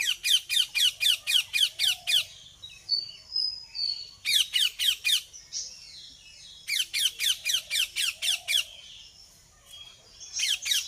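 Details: Ringneck parrot giving bursts of harsh, scratchy squawks, about eight rapid notes per burst, repeated in three bouts with short pauses, faint whistles from other birds between bouts.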